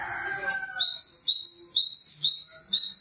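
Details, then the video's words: Java sparrow in a quick, even string of high, tinkling chirps, each note rising and stepping down, repeated about twice per second after a brief low murmur. "Suara burung glatik"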